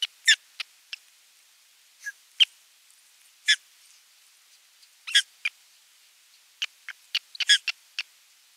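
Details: A run of sharp, high chirps, loud and soft, scattered irregularly, from an Osprey nest on 27 June 2022 where the adult has brought a fish and follows the feeding.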